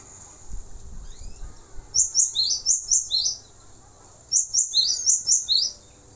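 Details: High, piercing song of a male cinereous tit used for training songbirds: two phrases of about six quick, sharp downward-sweeping notes each, roughly two seconds apart, with faint low rumbling noise early on.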